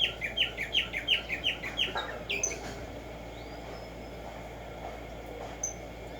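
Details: Black-striped sparrow, known as Tumba Yegua or tico tico, singing outdoors in the morning: about nine rapid, evenly spaced downslurred whistles in two seconds, followed by near silence with faint distant chirps and hiss.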